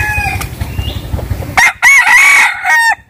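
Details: Rooster crowing in the morning at a rural home in western Vietnam, a loud harsh crow with a wavering held middle starting halfway through, after faint distant crowing over a low mechanical hum.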